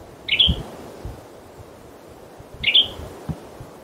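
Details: Western tanager call from a male in a forest, late in the season: two short, dry, burry chirps about two seconds apart, each dropping slightly in pitch, with faint low thumps behind.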